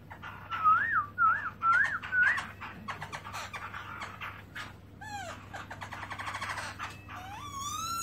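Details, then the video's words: Black-throated laughingthrush singing, recorded in 2017 and shown with its tail spread open: soft wavering whistled phrases repeated three times, followed by scattered rising slurs and varied notes at low volume. "Black-throated laughingthrush(Garrulax chinensis): Open-tail And Song Melodious Sound"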